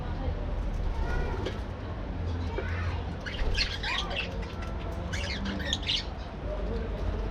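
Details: Colony of budgerigars in an aviary, breeding birds active in the morning, giving clusters of squawky, warbling chirps, strongest in the middle and later seconds, over a continuous low hum.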